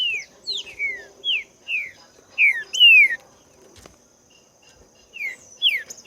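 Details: Green-winged saltator singing in the wild: a series of clear whistled notes, each sliding downward, delivered in uneven bursts with short pauses. A faint steady high hum runs through the background.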